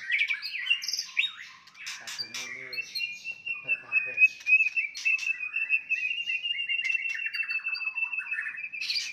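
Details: White-rumped shama singing a fighting song to stir up rival birds: mixed whistles open the clip, then a long, rapid, even trill holds steady for several seconds, with brief human talk faintly underneath early on.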